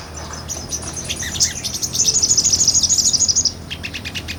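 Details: Small nectar-eating sunbird in lively ngobra song, recorded for real as a tutor for other songbirds; scattered high chirps build into a fast, even, ringing trill lasting about a second and a half, then softer ticks.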